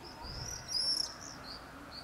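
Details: Common swifts in a July screaming party over a street in Beek Ubbergen, the Netherlands, where two pairs nest at a house: a thin, drawn-out high scream with a louder burst midway, then fainter distant screeches.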